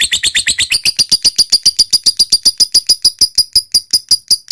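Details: Lovebird in lure-style ngekek chatter: rapid, piercing notes that start quick and slightly lower, then settle into a regular high-pitched rattle of about seven notes per second.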